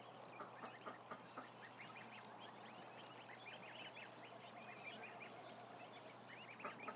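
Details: A thousand ducklings en masse: many thin, high peeps that grow busier in the second half, with a few sharper chirps standing out over a steady drone.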